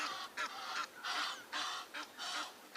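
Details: Egyptian geese at sunrise on an April 13 safari drive give harsh, rasping honks in a rapid run of about six bursts over three seconds, each a broad, hoarse blast, near a dam.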